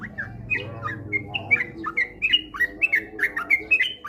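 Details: Lure recording of sooty-headed bulbul song meant to prompt rapid, frequent singing: quickening series of bubbly slurred whistled phrases, several birds overlapping, with a low hum in the first seconds.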